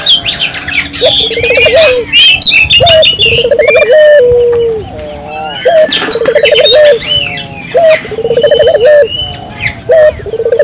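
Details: Repeated rolling coos of a turtle dove in prolific song, aimed at getting local doves to answer: low trilled phrases with a slurred end note return every two seconds or so, mixed with lively chirps and whistles of other birds.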